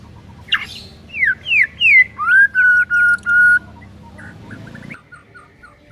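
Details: White-rumped shama master song for training mute birds. Clear whistled notes slide down and then up. It ends with several steady, level whistles of even length, followed by faint softer notes.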